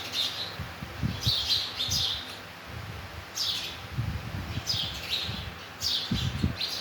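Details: Sparrows in the morning in summer, giving repeated high chirps in short bursts, with rustling and low thumps beneath.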